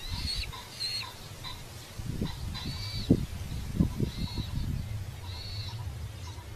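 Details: A red-footed falcon at a nest in Polgár, Hungary gives thin, high, slightly wavering calls, each about half a second long, roughly once a second, over a steady low rumble of wind.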